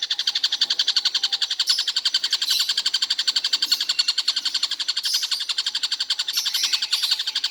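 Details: Stork-billed Kingfisher, said to call all day nonstop, gives a long unbroken string of sharp, buzzy notes at a steady rate near four per second, with faint high squeaks overlaid.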